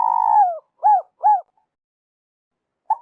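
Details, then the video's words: Trapping-lure call of a spotted dove, An Khe, Vietnam: the tail of a long falling coo, two quick arched coos, then a pause and a brief note; no other sounds. "Tiếng chim cu gáy dành cho ae đi bẫy"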